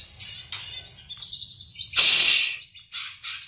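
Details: White-rumped shama, called murai pastol, building up its song: thin high chirps and short trilled phrases, a loud harsh buzzy burst midway, then more bright chirped notes, with a faint low hum beneath.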